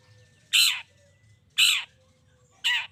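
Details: Long-tailed shrike giving three loud, scratchy, descending squawks about a second apart, meant to goad other shrikes into answering. A faint thin tone hums in the background.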